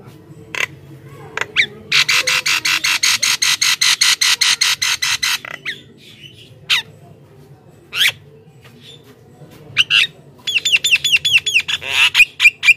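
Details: Javan myna lure song for wild mynas: a long, fast, even series of buzzy rasping notes, scattered whistled slurs, then quick rising whistles repeated in a run.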